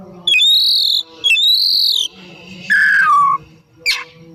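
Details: Oriental magpie-robin, called kacer, singing vigorously in the afternoon: two long arched buzzy whistles, a falling slurred note, and a brief sharp upward flick, separated by short pauses.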